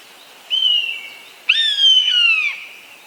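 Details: Eastern buzzard, a large hawk, giving two drawn-out mewing calls. Each starts with a sharp onset, then slides slowly downward over about a second, with rich harmonics. The calls are roughly one second apart over faint background hiss.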